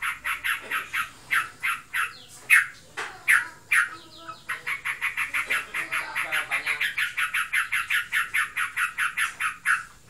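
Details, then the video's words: A kept Yellow-vented Bulbul (trocokan) in breeding condition: loose harsh notes at first, then a long, rapid, even rattle of buzzy chips for several seconds. "Burungku birahi. Ngebren abiss."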